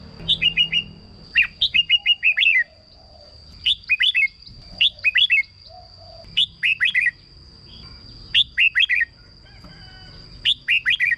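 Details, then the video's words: Red-whiskered bulbul song, used as a decoy or played to excite caged birds: short bright warbled phrases of three to five quick whistled notes, repeated about every second with brief pauses, over a steady faint high hum. "เสียงนกกรงหัวจุก สำหรับต่อ หรือ เปิดให้นกคึก เสียงเพราะๆ"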